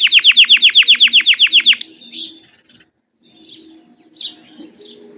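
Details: Canary song meant to set other canaries singing: a very regular run of loud descending notes, roughly eight per second, then faint scattered chirps and quiet.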